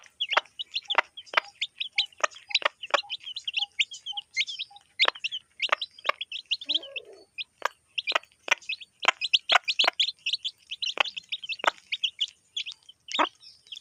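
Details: Chicks eating alongside their hen in a village keep up steady high cheeping over many sharp pecking clicks, with short low beeps in the first half.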